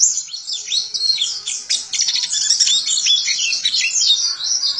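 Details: Kept white-eye (Zosterops) in Indonesia rolls out rapid high chirping song, a dense string of swooping downslurred notes and twitters without pause, faint low hum beneath.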